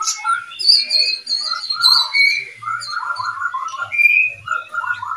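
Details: Oriental magpie-robins kept as a breeding pair, one singing a lively stream of high whistles followed by quick descending mid-pitched warbled notes, with soft low thumps in the background.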